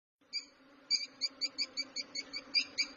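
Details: Lovebird chirping in a rapid, even series of short, shrill notes with ringing overtones, about six per second, over a steady low hum.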